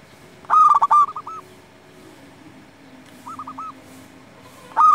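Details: Local zebra dove in provoking song for lazy or silent doves: a loud stammering coo phrase with a long final note, softer coos after it, a quiet pause, another soft phrase, then a loud one begins.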